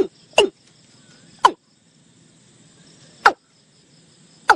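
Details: A watercock, in a call recording used to lure birds, gives four loud, abrupt, downward-swooping notes at uneven gaps of one to two seconds, over a steady high insect drone.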